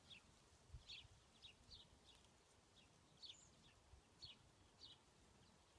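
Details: Hummingbird at a backyard feeder, recorded with an iPhone 5S in slow-motion mode: short, sharp high chips repeated at uneven intervals of about half a second to a second, over a soft low background hum.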